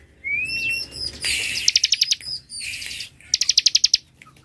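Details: Bar-winged prinia singing in ngebren style, described as dense and long; a thin rising whistle opens, then bursts of rapid sharp high notes in short runs with brief pauses between them.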